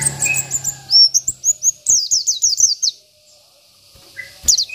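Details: Local Indonesian Oriental white-eye singing an 'isian' (filler) song meant as tutor material: rapid runs of high, thin, downslurred whistles in quick series, with a short buzzy pause and a few lower chirps.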